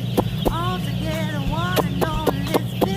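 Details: Farmed meat chickens approaching their keeper without fear; loud up-slurred whistled peeps repeat rapidly, several per second, interspersed with sharp tapping knocks over a low steady hum.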